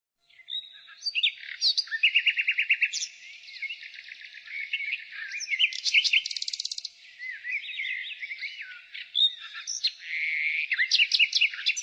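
A nightingale sings a rich, varied phrase of rapid repeated notes, buzzy trills and sweet whistles, shifting pitch every second or two.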